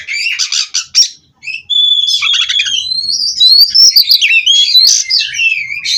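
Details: Oriental magpie-robin, a captive-bred kacer, pouring out 'ngerol' rolling song: harsh rattles, a brief silence, then a level whistle and rising, tumbling warbles running on without a break.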